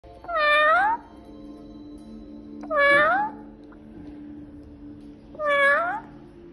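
A black-capped lory imitates a cat, giving three drawn-out, cat-like meows a couple of seconds apart.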